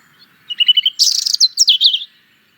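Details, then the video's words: European robin song: a brief phrase of a few quick, even notes, then a rush of high, tinkling, warbled notes that tumble downward, with no other sounds. "European Robin - Songs"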